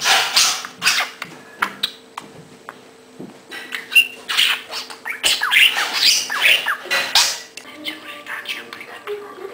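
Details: A pet budgerigar playing: bursts of harsh squawks and quick warbling chirps, high-pitched and irregular, over a faint steady hum.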